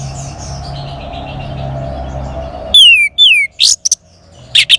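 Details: Singing orange-headed thrush, used to coax a bird that has stopped singing: after a humming start, two loud descending whistles and a quick series of sharp piercing notes, with faint background calls.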